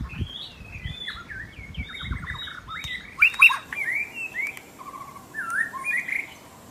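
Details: White-rumped shama, wild in forest, sings a quick series of short whistled notes, a couple of sharp loud clicks, then low slurred whistles, fairly quiet overall.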